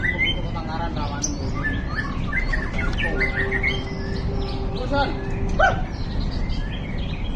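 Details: White-rumped shama, billed as a small bird with a fierce voice and champion of all classes, delivers a busy mix of chirps, slurred whistles and short buzzy notes. A faint steady tone and murmuring background sit beneath.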